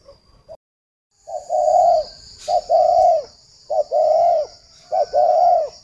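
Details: Spotted dove decoy for luring, kept in Ba Vì, Hanoi, Vietnam; a repeated phrase of a short grace note followed by a long, even coo that drops off at the end, given about every 1.2 seconds, with a high electronic whine.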